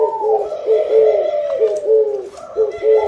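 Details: Spotted dove, its cooing linked to a bountiful harvest: quick succession of short, low, hollow coo notes, about one per second, layered over one another.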